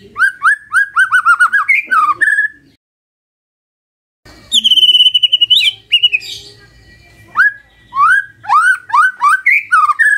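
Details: Magpie-robin singing in the morning to get a silent bird to answer: a quick run of rising whistled notes, a silent pause, then a sustained high twittering phrase followed by further looping, varied whistles.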